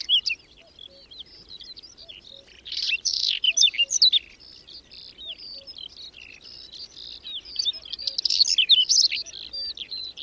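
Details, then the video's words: Whinchat singing during a sudden May snowstorm with strong wind, at the edge of the village of Domzheritsy in the Berezinsky Biosphere Reserve, where several dozen pairs breed: dense, scratchy, warbled phrases in bursts, with other faint chirps around. "Луговой чекан в майскую вьюгу"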